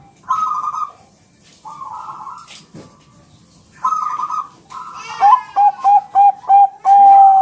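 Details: Champion Bangkok-type zebra dove song used to prompt birds to answer: rolling trilled coo phrases, then a run of five short clear whistled notes and a longer held note at the end.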